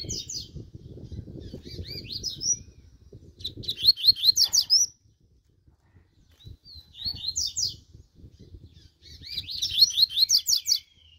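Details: Fast, vigorous double-collared seedeater warming up: four short bursts of rapid, high sweeping whistles spaced a few seconds apart, with low rumble between them.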